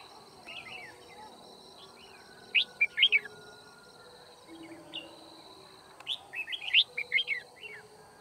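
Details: Decoy red-whiskered bulbul singing during a trapping session on 9 February 2019: scattered soft chirps, then two loud bursts of rapid, rising and falling whistled notes, with a faint steady hum throughout.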